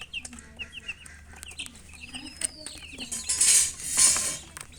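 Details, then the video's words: Chicken chirping: short high peeps in small bursts and soft low clucks, followed by a loud rushing hiss, possibly wing flapping or handling noise. "silly chicken chirping sounds"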